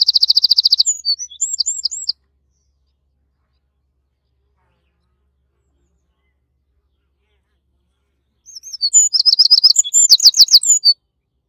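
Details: Eurasian wren at its nest gives two loud, high, rapid bursts of trills and sharp notes, each about two seconds long, separated by several seconds of quiet.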